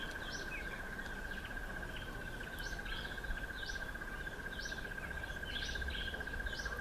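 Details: Streaky-headed seedeater (Crithagra gularis), also called streaky-headed canary, eating sunflower seeds, gives short, high chirping notes about once a second over a steady, shrill insect drone.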